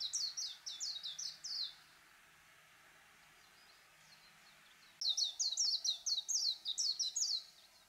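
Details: Warbling white-eye song in two bursts of quick, high, slurred twittering notes separated by a few seconds of near silence. The second burst is louder and continues to the end.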